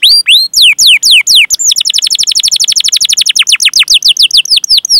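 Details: Canary producing long chirping rolling song as a lure for other canaries: several loud downward-sweeping whistles, then a long fast trill of repeated notes slowing into spaced falling chirps.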